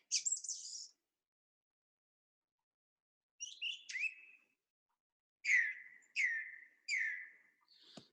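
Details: Song thrush singing, a song heard from February onwards: a scratchy high phrase, a twittering phrase, then one clear down-slurred whistle repeated three times at even intervals, its repeated phrases the distinguishing feature. Nothing else is heard.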